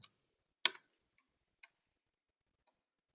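Only a few sharp broadband clicks or ticks sound over near silence, with no animal voice.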